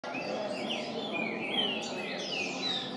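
Green-winged saltator giving rich, sliding whistled phrases that rise and fall, repeated over a steady hiss of background noise.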